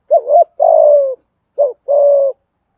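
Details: Decoy spotted dove giving 'thúc gù' coos to bring wild birds to the lure: two phrases close together, each a short wavering note then a long, even, slightly falling coo.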